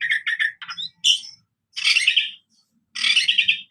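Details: Black-variety oriental magpie-robin in full song: quick clipped whistled notes, a sharp rising whistle, then two dense chattering trill bursts separated by pauses, with faint low background noise.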